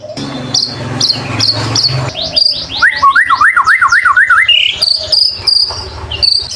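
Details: Lively white-rumped shama song meant to coax other shamas to sing: high chips, then a fast run of zigzag whistled notes bouncing up and down in pitch, ending in thin, piercing high whistles.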